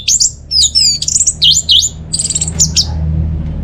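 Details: Orange-headed thrush in full song, meant to lure silent home birds into singing: fast run of high twisting whistles, rising and falling slurs and a quick stuttered trill, all loud and bright over low hum.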